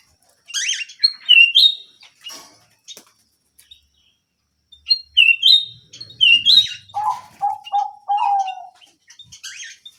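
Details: Canary, described as small and singing actively, delivers clear whistled rising phrases repeated several times, then a run of lower, evenly spaced notes, with quiet gaps between bursts.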